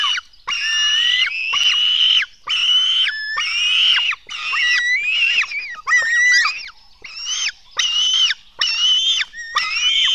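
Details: Black stork nestlings begging while being fed at the nest at dawn, 04:53 on 24 June 2016. Loud, harsh, wheezy screeches with rising and falling tones come in bursts of about a second, repeated almost every second.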